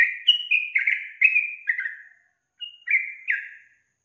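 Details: Calling female sooty-headed bulbul, whose voice sets males answering: a burst of clear, warbled whistles falling step by step over two seconds, a brief gap, then three more fluty notes.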